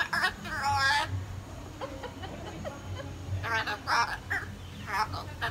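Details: Hyacinth macaw at San Diego Zoo Safari Park, 21 February 2021, talking a lot: short harmonic squawk-like bursts near one second and again after three seconds, separated by quieter gaps, over a low background hum.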